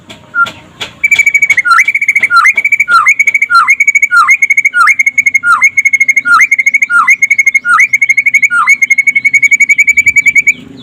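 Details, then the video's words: Daytime song of a white-rumped shama (murai pastol), used to stimulate other shamas: a few clicks, then about eleven buzzy trilled phrases, each ending in a steep downward flick, repeated under a second apart, finishing in a steady trill. "SUARA KICAUAN BURUNG MURAI PASTOL DINLAGI HARI AGAR CEPAT GACOR"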